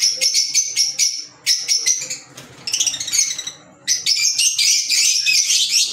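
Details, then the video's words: Green Fischer's lovebirds giving dense, piercing high chirps in three bursts, with a softer, rougher stretch in the middle and the loudest, busiest chorus in the last two seconds. "Fisher Love Birds Sound"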